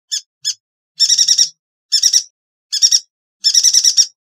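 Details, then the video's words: Yuhina song used as a training tape for songbirds: short bursts of rapid, high, harmonic-rich chattering notes, first two single notes then four longer trilled bursts with clean silent gaps between them. "Burung Yuhina - Tembakannya Nyelekittt Tajamm"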